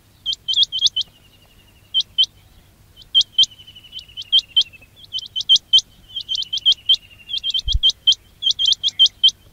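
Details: Quail calls for hunters luring birds: rapid clusters of sharp high chirps with faint trilled notes between them, and one low thump near the end.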